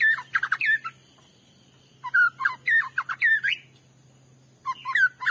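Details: White-rumped shama song used as a lure to provoke another shama to sing: loud bursts of rapid, varied whistled and chattering notes sweeping up and down, in three clusters separated by pauses, with a faint steady hum.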